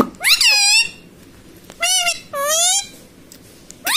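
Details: Pet ringneck parrot indoors, said to talk "mummy papa"; three loud, high harmonic-rich squawky syllables with bending pitch contours, separated by short pauses, in a quiet small room.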